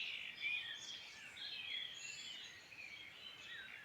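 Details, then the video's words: Several birds singing in the Irish Midlands, giving high slurred whistles and twittering phrases that overlap, with a louder chirp early on and a gentle hiss throughout. "Beautiful birdsong in Ireland Midland"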